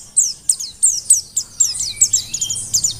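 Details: Energetic Mountain white-eye of the Merapi forest type, used as a tutor singer: a steady series of crisp, very high, downward-sweeping chirps, about four per second, becoming quicker toward the end.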